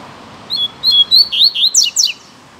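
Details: Caged male Double-collared Seedeater (coleiro) taken out into the bush, singing a lot: a quick series of high, clear whistled notes that rise into sharper, ringing upslurred phrases, about eight notes in under two seconds.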